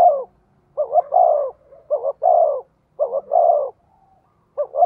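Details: Decoy spotted dove cooing to entice wild doves. A long falling coo opens, followed by three phrases of a quick double note and a drawn-out downward coo, with a further phrase starting at the end.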